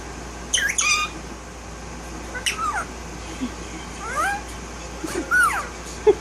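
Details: A pet Indian ringneck parakeet, a one-year-old violet male with no tail, vocalizing indoors; a scattered series of short squawky and whistled bursts, some falling in pitch, with low room noise between them.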